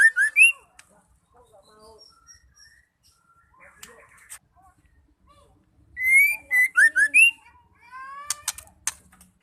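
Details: Female white-rumped shama calling, a sound used to provoke males into singing and fighting spirit for contests; clear rising whistled notes open, then a quiet gap, then a loud burst of sharp whistled and slurred notes, ending in buzzy rising strokes.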